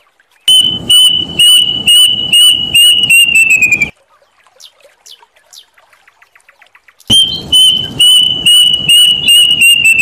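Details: Plaintive cuckoo, known locally as kedasih or emprit gantil: a run of clear whistled notes at a steady high pitch, repeated rapidly, then sliding lower and quickening before stopping; a short near-silent pause, then the series starts again, with rough pulsing noise underneath.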